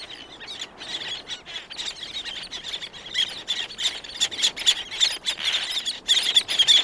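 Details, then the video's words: Several black-naped terns calling close, others distant. Continuous high, squealing chatter and rapid clicks build in intensity toward the end. "Black Naped Tern / Black-Naped Tern. CU Calls From Several, Others In Distance. Good Wing Beats."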